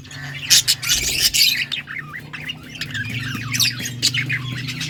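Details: Yellow budgerigars, August 6, 2024, give loud squawky chirps, then wavering warbled notes that twist up and down in quick succession, over a steady low hum.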